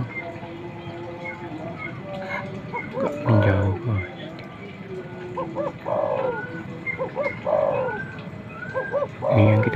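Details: Spotted dove, a male calling to a female and drawing wild birds near. Low coo phrases of short notes and a drawn-out falling tone recur among heavy low thumps and handling noise.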